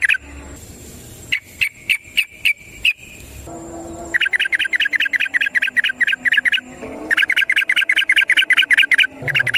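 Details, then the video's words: Yellow-vented bulbul, or trucukan, sings a long rolling ropel phrase as a training lure: a few spaced sharp clicks, then two long fast runs of bright chattering notes, over low background hum. "Trucukan GACOR ngalas ROPEL PANJANG suara alam AMPUH buat pancingan"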